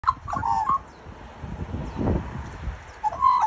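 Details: Australian magpie from a family group of one male and two females raising chicks, with short clear whistled notes of even pitch in two bursts at the start and end, separated by low thumping and handling noise.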